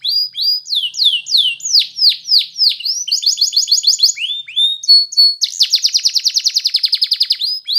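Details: Belgian canary in full song: a series of high, swooping descending notes, a short stuttering trill, a steady held tone, then a long, fast, pulsing high trill.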